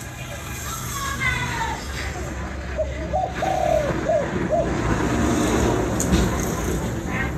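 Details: Spotted dove in Vietnam giving a single phrase of soft coos with one held note, amid loud road noise and faint voices.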